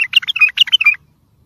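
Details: Bulbul song for training and motivating birds, in the sihan manner: a brisk second-long sequence of liquid, slurred whistles, some rising and some falling, then quiet.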